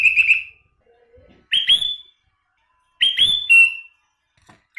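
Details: Sooty-headed bulbul in isian song filled with borrowed phrases: short bright whistled bursts of two or three slurred notes, the last held and falling, spaced about 1.5 seconds apart in a quiet setting.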